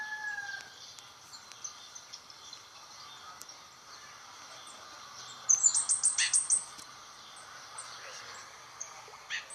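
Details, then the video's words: Scarlet-headed flowerpecker in Indonesia singing loudly: a quick burst of about eight very high, thin ticking notes lasting about a second, set against a steady high hiss and faint other bird notes. "Burung cabai bunga api gacor"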